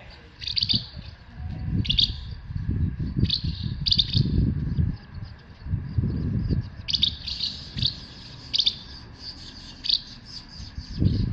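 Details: Asian house martins in Himeji, Hyogo Prefecture, Japan, 4 May 2021, late morning, captured on a compact camera: bright, dry chirps in short clusters, repeated irregularly every second or two, above a continuous low rumble.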